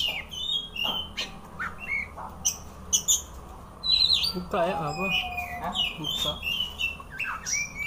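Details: Singing white-rumped shama (kacer) spreading its tail, giving varied whistles, quick slurred phrases and harsh chips in rapid succession, with a lower warbled passage midway and steady low background hum.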